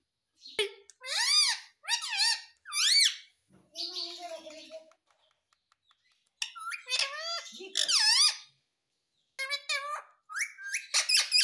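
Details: An Indian ringneck parrot talks indoors in short, high, squeaky bursts of mimicked words with rising and falling inflections, repeatedly saying "Mummy", separated by brief pauses.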